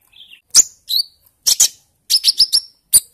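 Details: Purple-throated sunbird (kolibri ninja), a freshly wild-caught young bird in speckled green plumage, used as a lure to prompt singing; sharp, high-pitched chips and short downward-sliding whistled notes in quick bursts, with a soft lower warble at the start.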